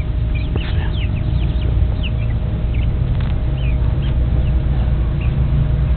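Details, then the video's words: Silkie crossbred chicks from a black Silkie and an Easter Egger rooster: scattered thin, high peeps, each a brief falling slide, spaced irregularly over a constant low background rumble. "silkies chicks"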